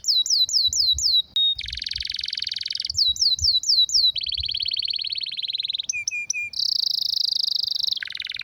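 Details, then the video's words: Canary singing a rare, strong song meant for tutoring other canaries: a high, fast series of tours, including swooping falling whistles, buzzy rolled trills, short clipped notes and a bright high rattle, with faint low rumbling noise beneath. "Canário com Canto Raro e Forte – Ótimo para Seu Mestre Canário HD - CANARY SOUND MELODY"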